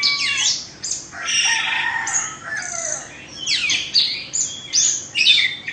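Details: Oriental magpie-robin from Indonesia, a caged two-season bird, delivers rich varied song: sweeping slurred whistles, buzzy rasping notes and sharp downward strokes in quick uneven bursts.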